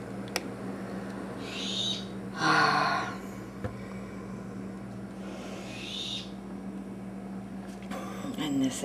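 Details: Blue-headed macaw chicks, aged about two to six weeks and kept indoors in a container, give a few harsh, hissing rasps, each under a second, spaced a few seconds apart, with a person talking softly and a steady indoor hum.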